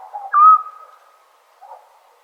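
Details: Scops owl, summer night in Serbia: a single loud, short whistle holding one pitch, followed by a faint, lower mumbling note.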